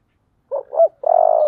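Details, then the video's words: Thổ voice song of a spotted dove: two quick hoarse low coos followed by a long, steady, slightly vibrating coo, loud and clean against silence. "cu gáy giọng thổ"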